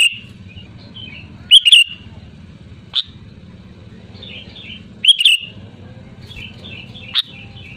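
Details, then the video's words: Sooty-headed bulbul, loud prolific singer recorded for luring other bulbuls into song: short bubbly whistled phrases, a few seconds apart, with scattered single chirps and a steady low hum throughout. "SUARA ASLI GACOR LANTANG BURUNG KUTILANG"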